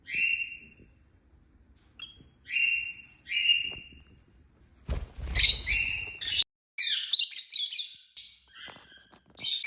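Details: African lovebirds flying freely and calling happily: evenly spaced short shrill whistled notes, then a noisy flurry with a wing-flap-like rush and dense overlapping chattering squeaks.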